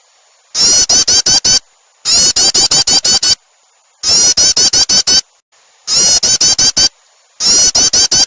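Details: Bar-winged prinia call used as a starter lure to draw small birds close: short bursts of rapid, sharp, high chattering notes, about six to eight per burst, repeated every one to two seconds, heavily distorted, with a steady high tone between bursts.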